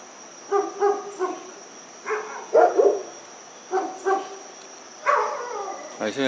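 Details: Evening calls of a dusky-legged guan, one of a pair watched in a country residential area at Pereira, late November 2021: repeated loud, honking yelps in short bursts of two or three notes, some rougher and more buzzy, over a steady high background hum.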